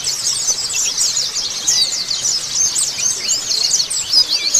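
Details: Oriental white-eyes in a massed chorus, used as a lure to make other birds respond and sing: dense, overlapping high twittering and thin chirps, continuous without pauses.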